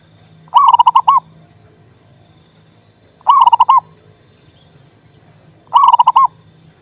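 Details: Local male zebra dove, played to stir a silent bird into singing: three short cooing phrases of five or six quick, rounded notes, repeating about every two and a half seconds over a steady electrical hum and a thin high tone.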